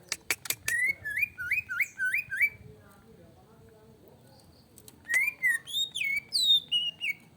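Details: Greater green leafbird singing in an agitated, emotional state as a provocation song. A few sharp clicks open it, followed by a run of clear, slurred whistles repeated about three per second. After a pause come higher, rising whistled phrases.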